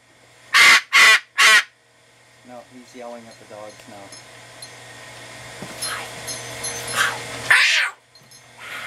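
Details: Umbrella cockatoo house guest playing indoors: three loud harsh screeches in quick succession, then quieter chattering and talking voices with a steady hum, ending in another rasping screech.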